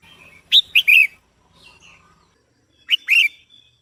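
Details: Singing female red-whiskered bulbul, meant to stimulate a male. Clear high notes come in a loud chirpy cluster, then faint twittering, then a second bright burst of two quick slurred notes against a quiet background.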